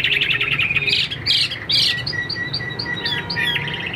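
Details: Caged Chinese hwamei, a tame bird about 85% accustomed to people and not yet in peak condition, sings loud whistled phrases: rising and falling notes, short bursts and a long steady whistle, over a constant low hum.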